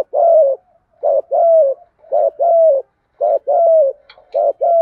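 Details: Cooing spotted doves used to train newly caught birds, in 'thúc gù' style: four even pairs of low, mellow coos, each a brief note followed by a longer sustained one, spaced about a second apart.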